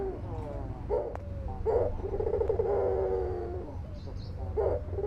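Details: Deep rolling coo of a white albino dove that calls frequently: scattered short notes, a stressed note, then a sustained low purr and another accented note, with faint clicks and low hum.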